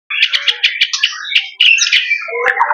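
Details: White-rumped shama singing loudly and close: a quick run of rich, warbled notes that rise and fall, then a longer slurred phrase ending in lower, descending notes.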